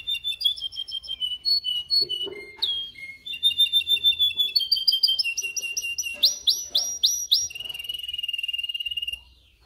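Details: Canary singing for training canaries: varied whistled phrases, fast repeated rising notes in series, loud swooping upward notes about three per second, and a closing rapid level trill.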